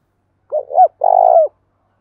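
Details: Spotted dove from Vietnam, the cooing style called thúc gù, kept as a lure bird: a short hooked note, a rising-falling coo, then a long buzzy, throbbing coo that dips at its end, mid-low pitch, clean background.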